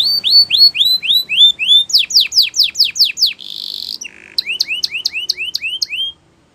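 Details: Spanish Timbrado canary song used for training: evenly paced rising-falling whistles, then steeper downward sweeps, a short buzzy trill, and more bright whistled notes ending in quiet.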